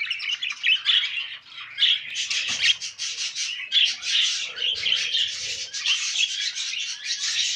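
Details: Two male pet budgerigars, brothers, mating; a continuous, harsh, buzzy warble of scratchy squawks and chirps runs without pause throughout, with faint low bumps in the background.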